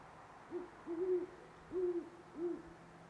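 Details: Great horned owl calling near sunrise on November 25, 2011, in Parker, Colorado: a series of four deep, low hoots, a short first note followed by longer, slightly rising and falling ones, over quiet background hiss.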